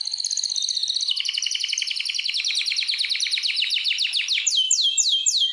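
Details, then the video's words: Canary song from a breeding room being readied for mating. A high trill runs into a dense, fast rolling trill that falls in pitch, ending in slower, clear downward-sliding whistles. "جولة في غرفة طيور الكناري مع تغريد روعة"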